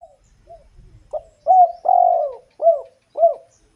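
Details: Bird calling with a melodious voice: after soft faint notes, a run of five low, arched cooing phrases, the middle one longest, spaced about half a second apart in quiet surroundings.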